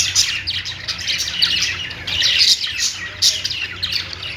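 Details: Singing pet budgerigars: quick, high twittering and raspy chirps tumbling over one another, with several loud sharp notes standing out against constant chatter.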